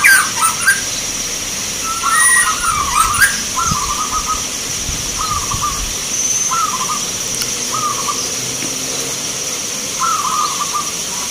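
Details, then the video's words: Contest zebra dove at a local bird competition in Magelang, Indonesia, giving rolling, trilled coo phrases spaced one to two seconds apart, with a few sharp knocks and clicks at the start and constant background hiss. "Perkutut Lokal gacoran Vs irama"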